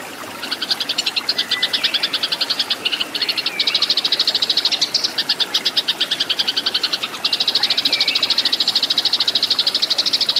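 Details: Fighting song of Eurasian tree sparrows, recorded for training cage birds: several long, very fast trains of piercing chirps, separated by short breaks, each run buzzing along almost like a rattle.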